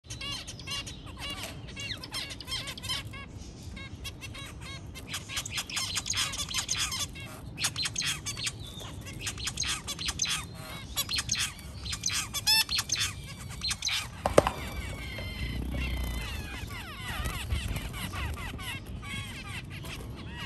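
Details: White zebra finches during mating, giving dense, busy chattering of short chirps, squeaks and squawks that overlap almost continuously, with a sharp click partway through and a low background rumble.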